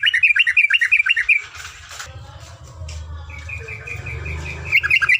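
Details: Tutor recording of a yellow-vented bulbul's long rapid song: a quick burst of sharp repeated chirps, a pause with rustling and low background hum, then the fast chirping resumes, growing louder at the end.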